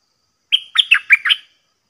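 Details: Caged decoy red-whiskered bulbul from Thailand, Dok Taeng song type, singing nonstop after a long time away from the forest while wild bulbuls come down to fight. A short, lively phrase: a whistled opening note, then four rolling, chirpy syllables.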